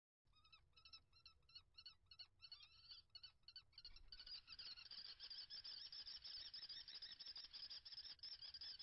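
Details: Common kestrels mating at a nest holding five eggs on 21 April 2022. Short shrill harmonic calls repeat about three times a second, then give way to loud, continuous, rapid high chattering that runs to the end.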